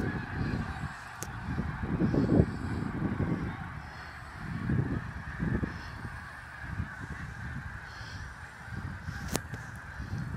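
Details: Snow geese at Middle Creek Wildlife area during migration at sunset: a large flock giving a dense chorus of overlapping nasal honks and yelps, with louder bursts near the start and middle.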